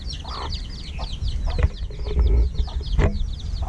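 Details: Evening feeding of chicks hatched just over a week: steady stream of thin, high downslurred peeps from many birds, occasional lower calls, and heavy low-pitched rumble underneath.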